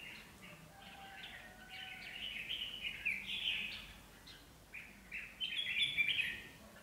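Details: Pair of decoy red-whiskered bulbuls at a trapping site in Việt Yên, Vietnam. Quieter chattering warbles build into louder liquid phrases near the end. A hissing outdoor background runs throughout, and a person remarks that a bird is arriving.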